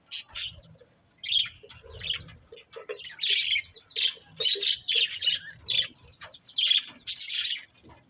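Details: Budgies calling with a run of harsh, squawky high chirps, about one or two a second, each a short, scratchy burst.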